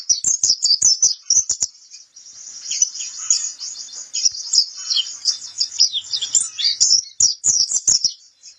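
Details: White-eye (pleci kapur) singing on a training recording: a dense, high, rapid twittering of thin chirps and trills, broken by sharp clicking ticks.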